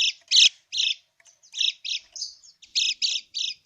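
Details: Lemon-bellied white-eye giving uneven krekek chatter as a lure to draw replies: separate buzzy, scratchy notes of varying loudness with short gaps, one thinner note in the middle.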